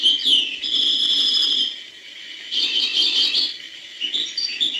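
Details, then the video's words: European goldfinch in hbal-style song, beginning with quick chirps, then a held, buzzy high tone, followed by a burst of twittering and a few scattered notes. "chant chardonneret hbal"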